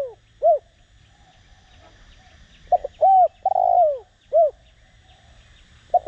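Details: Decoy spotted dove in the Đồng Rặc voice, cooing to stir other doves to answer: a short coo ends one phrase, then a full phrase of two quick notes, an arched coo, a long descending coo and a short final coo, soft chirping behind.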